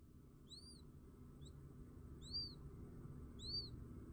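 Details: Newly hatched quail chick, recorded in India, giving thin high arched peeps, rising then falling, spaced about a second apart, over steady low background hum.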